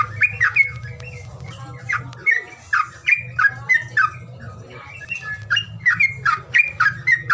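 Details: Lure sound for birds reluctant to sing: irregular, scratchy chirps and squawks repeated roughly every half second, with a droning low hum underneath for much of the time.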